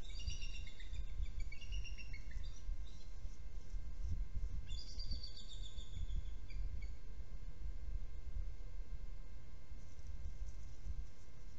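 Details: A bald eagle at the nest on a nest camera, part of a trio, calling during an early changeover: rapid series of high piping notes that fall in pitch, repeated twice, then quiet with steady low rumble.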